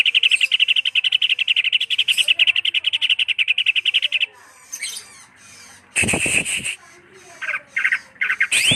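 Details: Greater green leafbird singing a fast, dense chatter of rapid repeated notes for about four seconds, then broken bursts, a harsh buzzy blast and short chirps.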